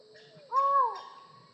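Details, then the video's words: Collared forest falcon, a secretive bird of tropical rainforest canopy in Latin America: a single loud, hollow note, fairly low and steady, held about half a second, rising slightly and then falling away, with a faint lower note leading into it. "Falcon Call Video: Collared Forest Falcon Bird Sound"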